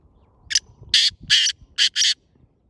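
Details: Loud grating grey francolin phrase meant to lure other partridges: five harsh, noisy bursts within about one and a half seconds, a short note first, then longer blasts with a brief pause before the final pair.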